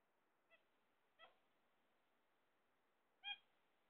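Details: Pet zebra finches waiting for eggs: three short, nasal, honking calls with bright harmonics, spaced irregularly over about three seconds, the last loudest, against a quiet, faintly hissing background.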